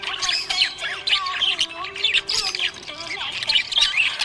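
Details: A happy budgie gives a busy stream of high, scratchy chirps and quick warbling notes over a background song with sustained sung notes.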